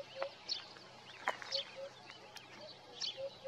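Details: Low hollow hoots of a Eurasian hoopoe on a morning recording made with a Nikon Coolpix P1000, spaced about a second apart, partly overshadowed by brighter high-pitched chirps from other birds.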